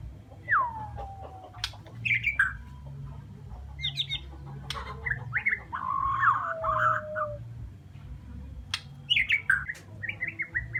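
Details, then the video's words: White-rumped shama from Borneo with a varied song of clear falling whistles, twisting warbled phrases and sharp snaps, separated by short pauses, with a steady low rumble underneath. "Bunyi Burung Murai batu borneo"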